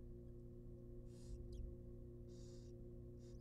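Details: Wild barn owl young begging in a research-monitored nest box during a rabbit feeding: harsh hissing bursts of about a third of a second, plus a brief thin squeak, against a droning low hum.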